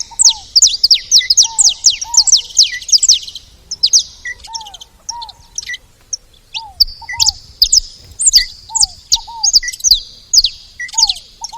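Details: At a feeding station, saffron finches chatter busily: bright, sharp chirps in fast strings, pausing briefly, alongside a lower slurred double note returning at steady intervals.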